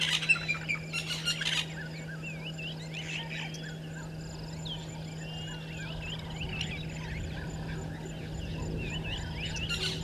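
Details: Violet-backed starling pair at a nesting tree, Gowrie dam waterhole, Djuma Game Reserve, Sabi Sand, South Africa, early morning of 13 December 2022. Grating buzzy bursts in the first seconds and again at the end, between many twittering birds and a low hum.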